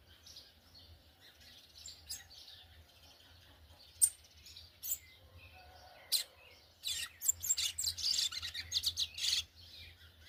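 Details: Brown-plumaged yellow-bellied seedeater giving churrio-style song: after scattered thin notes, a dense run of sharp, high, rapid chirps and trills about three seconds later, over a low steady hum.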